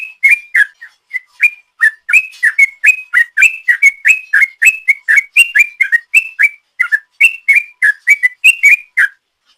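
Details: Fast 'ropel' song of a sooty-headed bulbul used as a lure: dense, lively series of loud whistled notes, rising and falling in turn, rattled off almost four per second.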